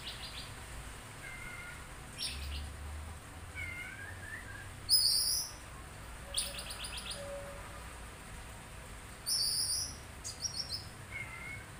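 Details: Oriental magpie-robin (kacer) replying at once to a sound it hears: scattered bursts of sharp, high chirps and short whistled notes at irregular intervals, with quiet gaps and a low background hum between them.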